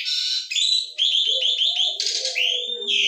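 An Asian pied starling pours out a loud, nonstop medley of harsh, buzzy chatter, bright whistles and throaty, gurgling notes, switching sound every half second or so.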